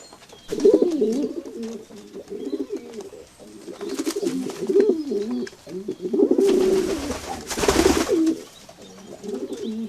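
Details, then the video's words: Pigeons coo continuously in low, rolling, bubbling phrases, many birds overlapping, interrupted by two short bursts of wing flapping. "natural pigeons chirping, pigeons sound effect.pigeons flying sound"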